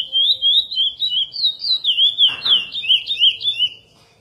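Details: Curió, the chestnut-bellied seed finch, giving its praia-style Mineirinho song, edited for tutoring: rapid looping whistles rising and falling in quick succession, a brief noisy burst midway, then silence for the last half second.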